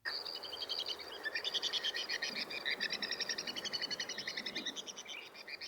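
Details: White-throated swift (Aeronautes saxatalis), song.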